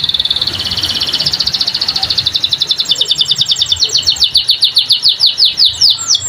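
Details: Energetic canary song dominated by long rolling trills: a dense rapid warble that slows into distinct repeated ticking notes, then quick descending sweeps, sustained for several seconds at high pitch with faint background noise.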